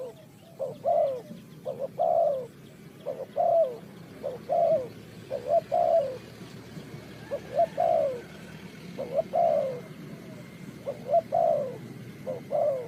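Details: Spotted dove in Ninh Thuận, recorded while trapping birds, giving a long sequence of muted low coos, short notes followed by descending tails, over a noisier rustling background.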